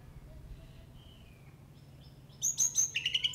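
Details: Jalak uret starling in an active 'full isian' song: after quiet thin whistles, a loud burst of high chirped notes and shrill whistles breaks in near the end.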